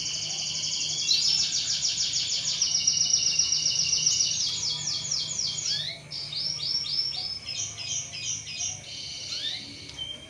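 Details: Canary singing a trigger song for other canaries: long rolling high trill of evenly pulsed notes, shifting into choppier chirped phrases, with faint background hiss.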